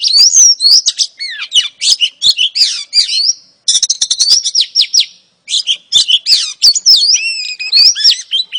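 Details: Oriental magpie-robin female singing to lure a male: quick bursts of sharp whistled notes and twittering trills, broken by two brief pauses, ending with sweeping rising and falling whistles.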